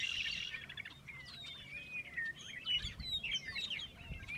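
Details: Western meadowlarks singing in February at Bosque del Apache, backed by red-winged blackbirds: faint fluty, slurred whistles gliding downward amid a busy chorus of other birds and low background noise.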